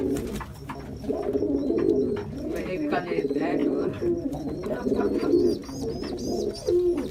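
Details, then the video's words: Jacobin pigeon cooing indoors with continuous low, rolling, throaty phrases, joined late on by a few thin, high chirps from another bird. "SOUND OF A JACOBIN PIGEON"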